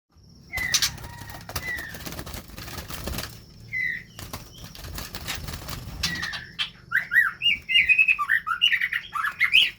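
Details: White-rumped shamas at the start of pairing for captive breeding. Loud wing flapping and fluttering fill the first six seconds, then a quick run of short, varied chirps and whistled notes follows. A faint steady high hum runs throughout.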